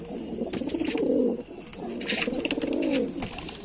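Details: Lalsara pigeon giving two drawn-out, rumbling coos, each rising then sliding down, separated by a short pause, with scattered sharp clicks in the background.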